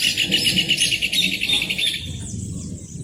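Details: Rufous hornero singing a fast run of ringing, high notes, about eight per second, steady for two seconds before fading, with low rumbling background noise underneath.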